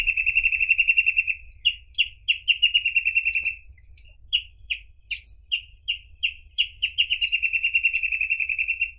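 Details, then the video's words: Reed parrotbill (Paradoxornis heudei) song: fast runs of high, thin chipping notes, about eight per second, broken by separate slurred whistles; a steady low hum beneath. "Как поёт Сутора тростниковая"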